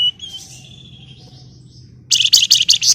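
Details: Female flamboyan calling to a male: a thin drawn-out whistle, then a loud rapid burst of harsh, buzzy stuttering notes over a low background hum.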